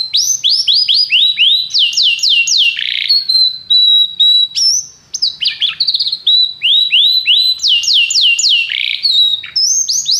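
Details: Varied canary song for training: series of fast downward-sweeping notes, sustained whistles and rising slurs, phrases separated by short pauses, a faint low hum beneath.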